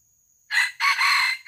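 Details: Harsh junglefowl crow during an attempt to lure and catch wild junglefowl. After a quiet start, a short hoarse note leads into a long grating middle phrase, then a final note begins as the sound cuts off. A steady high whine sounds underneath.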